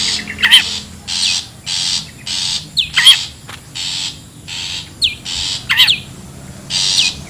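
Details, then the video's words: Long-tailed shrike calling in the wild, recorded as a bird-luring sound: spaced rasping squawks, roughly two per second, some with sharp rising and falling whistled strokes, against a quiet background. "SUARA ASLI PIKAT CENDET,PENTET ALAM LIAR"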